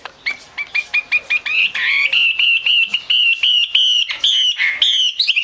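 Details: Female Chinese hwamei used to stimulate male song, opening with spaced rising whistled notes that quicken into a continuous rolling series of loud, repeated whistles with slurred inflections.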